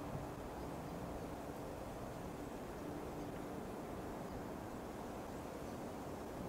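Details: Only a constant broadband hiss with a faint, intermittent low hum is heard, and no calls stand out.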